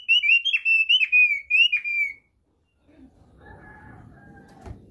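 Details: Thick-billed white-eye, East Nusa Tenggara, Indonesia, singing its basic song as a quick string of bright whistles with sharp downward flicks, lasting two seconds, followed by soft background noise and a faint distant call.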